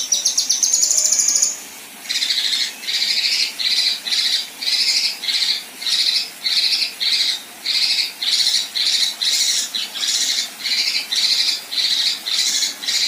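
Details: Female Kinoi song: a brief very high rapid trill, then a long run of harsh rasping buzzes repeated roughly every 0.7 seconds, the besetan style paired with rough tembakan.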